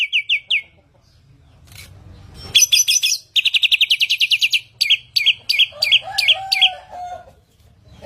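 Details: Kept Asian pied starling (samyong) singing: quick triplets of high chirps, a harsh wideband burst, a rapid rattled trill, then spaced metallic notes with a lower whistled phrase beneath.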